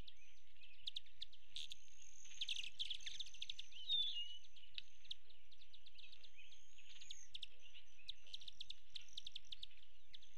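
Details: A male Broad-tailed Hummingbird at a West Texas feeder on 26 May 2017, its wingtips producing a thin, steady, high metallic trill in flight that comes and goes, with scattered sharp ticks and chips over a low background hum.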